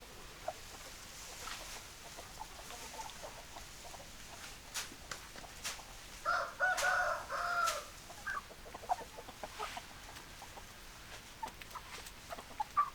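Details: A domestic rooster gives one drawn-out, multi-part crow amid scattered hen clucks and clicks.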